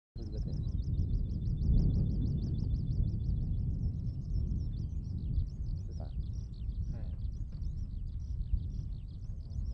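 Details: A Eurasian skylark in open farmland at Sone Shinden, Kitakyushu, Japan pours out a continuous, high, rapid stream of trilled and chirping notes, apparently rising higher, over a steady low rumble of wind or distant traffic.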